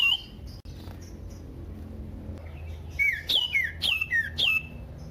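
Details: Loud, varied common iora song meant to draw other ioras into singing: after a quiet start, a string of clear looping whistles, each note swooping up then down, comes in a quick uneven series.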